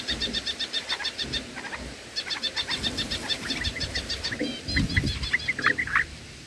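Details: Black-headed bulbul nestlings being fed in the nest give rapid runs of thin, harmonic, high-pitched begging cheeps, several per second, ending in sharper chirps, over low rustling and rumble.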